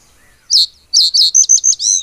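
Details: Common reed bunting (Emberiza schoeniclus) song: a short phrase of loud, clear high chirped notes, a brief note then five quick separated syllables ending in a longer descending slurred note, over a quiet background.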